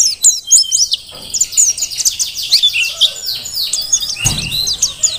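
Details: Energetic high twittering from a wild-caught mountain white-eye of Merapi, thin whistled notes tumbling quickly, with one brief low thump near the end.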